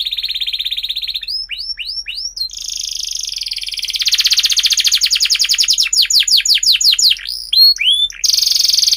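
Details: Canary lure song to train young canaries: a buzzy trill, a run of hooked whistled notes, then a long rolling trill of rapid pulses, more swooping notes and a final steady buzz.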